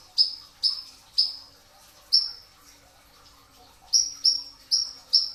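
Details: Brown-throated sunbird singing in the pre-dawn hours for a training recording: a few piercing high chirps, then a short quiet gap, then a quick run of four similar sharp notes.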